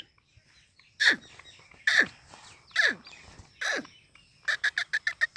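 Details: Free-roaming black francolin in high spirits, calling with four harsh, grating notes, each ending in a downward sweep about a second apart, followed by a fast run of sharp clicking pulses.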